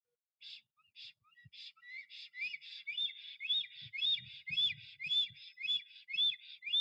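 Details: A male black stork in Notecka Forest, 12 April 2023, woos an absent female at the nest, flying in three times in seven minutes. After a few scattered notes, rhythmic whistled slurs build into a fast, even sequence, with muffled low knocking sounds.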